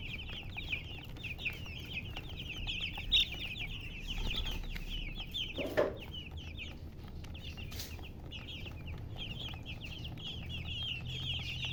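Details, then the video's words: Chickens, called murgi hens, giving a dense chorus of high thin peeping chirps that repeat rapidly and continuously, with a low background rumble and a brief louder sound near the middle. "silly chicken chirping sounds with murgi hen color chicken"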